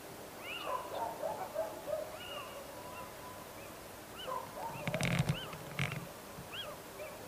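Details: Little owl giving repeated mewing, arched calls that rise and fall, several in quick succession and partly overlapping, with a brief burst of crackling noise midway over a steady background hiss.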